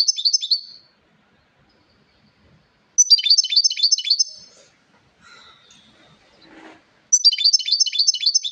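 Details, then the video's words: European goldfinch song in three bursts of fast, tinkling, stuttered twitters separated by pauses, with a few softer, lower chirps and faint rustling in the gap. "SAKA KUŞUNUN HARİKA ÖTÜMÜ - GOLDFINCH SING"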